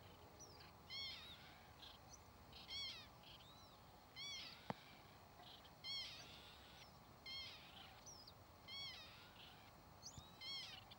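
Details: Northern lapwings (Vanellus vanellus) calling again and again with wheezy, cat-like, slurred notes about every one and a half seconds, several birds overlapping, with one sharp click midway over a quiet hissing background.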